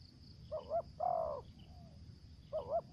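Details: Spotted dove kept as a decoy bird, voice style called thổ dế, kèm dập or mai rừng. Two soft hoarse coos, then a longer drawn-out slurred coo, then another quick pair, over a steady high insect trill.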